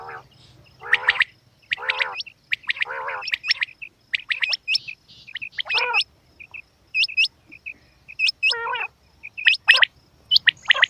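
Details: Female quail calls mixing harsh, harmonic nasal notes with quick high chirps and looping whistled upslurs, delivered in uneven bursts about once a second over a quiet low background hum.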